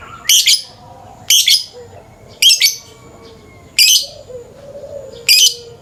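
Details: Lovebird calling in the morning, a long 'ngekek' trill: five loud, harsh, shrill chattering bursts, each about a third of a second, repeated roughly every second and a quarter, with faint low hum between.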